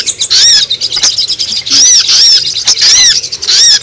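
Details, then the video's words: Brown-throated Sunbird (sogon) lure call for attracting wild sogon: piercing, arched chips in bursts of three or four, repeated about every second, with a few sharp clicks between. "Suara pikat sogon paling ampuh terbaru"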